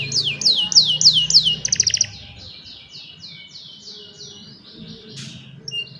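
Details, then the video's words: Singing young canaries, used to train other canaries: bright downward-slurred whistles repeated about four times a second, a quick stuttering trill, then softer falling notes fading out, with a low background drone. "Young Canaries Sing for Your Lazy Canaries | Canary Singing"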